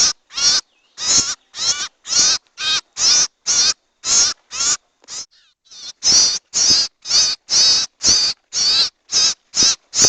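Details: Owl calls for luring owls into a trap: harsh, breathy shrieks repeated about twice a second, interrupted by a faint, quieter stretch midway before the loud series resumes.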